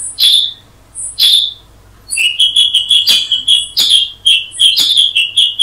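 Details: Two isolated sharp calls from a Black-headed Bulbul (Brachypodius atriceps), followed by a quick burst of whistled chirps and louder clipped notes in close succession.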